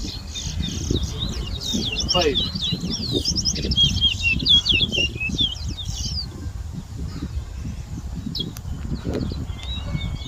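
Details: Towa towa seedfinch whistling at a bird competition in Berbice, Guyana, 2022. A dense burst of fast twittering, slurred whistles fills the first six seconds, then only scattered notes over low crowd noise.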